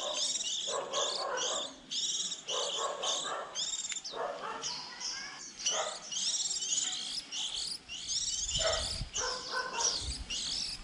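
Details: Young white-eyes early in the 2020 season, when fledglings leave the nest around April, give high, thin, twittering bursts of chatter phrase after phrase, with a faint low rumble beneath.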